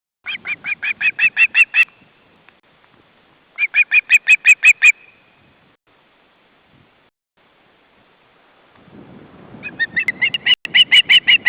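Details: Eagle at a nest in Estonia, where a chick waits as the male arrives with a fish: a series of sharp, clipped, yelping notes, rapidly repeated, then a pause and a second run, then more piping calls.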